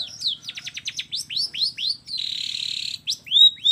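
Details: Long-tailed shrike in combination-filler song (kombinasi isian): a fast volley of rising and falling whistled chirps, then a sustained harsh buzzing note lasting almost a second, and a final clear upslurred whistle.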